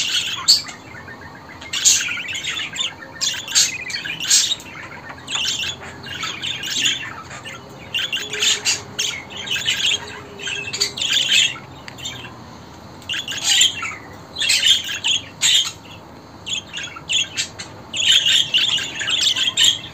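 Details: Budgerigar (Melopsittacus undulatus), chatter calls.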